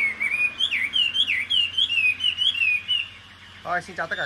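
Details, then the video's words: Caged Chinese hwamei that placed in Thanh Trì's top 10 in 2019 sings a wavering rolling whistle repeated about five times per second, then a pause and a harsh broadband burst with brief notes. "Họat Họa Mi"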